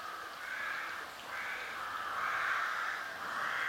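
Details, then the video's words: A bird beside a river in an Irish glen, recorded from a footpath, gives three harsh, drawn-out calls back to back, each about a second long, over a soft steady background hiss. "Bird Sounds"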